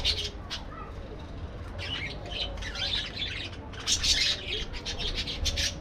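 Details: Aviary parakeets chattering: dense runs of high, scratchy chirps and squawks, building toward a louder flurry near the end over a low background rumble.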